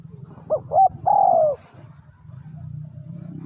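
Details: Decoy spotted dove calling to attract wild doves: one phrase of two brief hoots and a long, falling coo, over a steady low droning hum.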